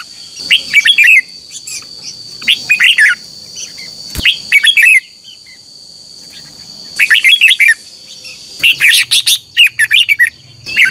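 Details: Red-whiskered bulbul singing in a morning contest, used to train and stir birds to sing: short loud bursts of warbled whistled notes separated by pauses, a steady high hum throughout.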